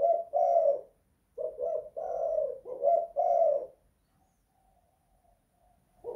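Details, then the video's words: Indoor spotted dove giving cooing phrases: a quick double note followed by a drawn-out coo, repeated twice, then a quiet pause with faint background hum. "Tekukur kuk 2 / guk 1 in the house"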